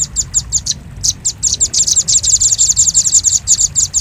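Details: Lure sound of a velvet-fronted nuthatch for attracting birds. Spaced high, thin chips open the recording, then run together into a rapid, dense chattering series that stays high-pitched throughout.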